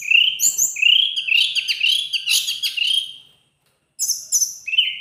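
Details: Teledekan gunung singing vigorously: a rapid chattering jumble of high whistled and buzzy notes sliding up and down, a short silence, then more sharp whistled phrases.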